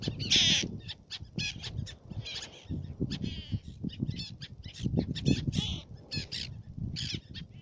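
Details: Black-naped terns on Fares, Baa Atoll, Maldives, calling in quick, overlapping bursts of high, raspy, slightly trilled notes, opening with a loud drawn-out call, while low rumbling continues throughout.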